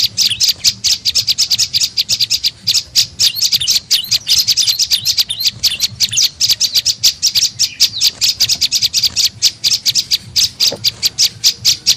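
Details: Lure call of an olive-backed tailorbird, meant to draw in birds: a long, dense run of rapid high chips, nearly continuous and very regular, with a soft low hum.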